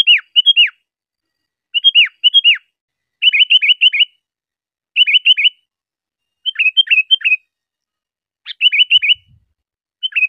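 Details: Sooty-headed bulbul song, a recording meant for teaching cage birds: short bursts of bubbly whistled notes, falling and hooked, repeated in phrases about every one to two seconds, with silent gaps between, background quiet.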